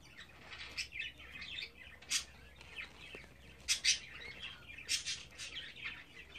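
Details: Pet budgerigar babies at 24 days of age calling: scratchy high chirps and short harsh bursts, a few louder clustered squawks near the middle and end, constant low twittering underneath, quiet room hiss.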